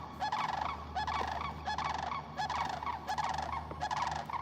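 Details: Sandhill Crane, called a North Carolina crane, heard from a kayak while fishing: loud, rolling, rattling bugles, about five hoarse trumpeting calls in quick succession, each roughly a second apart, over a low background hum.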